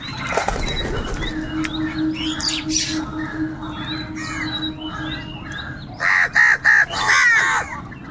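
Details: Crows fighting for food, angry and loud: after a busy stretch of mixed chirping birds, a quick burst of four harsh caws lands near the end, followed by a longer grating caw.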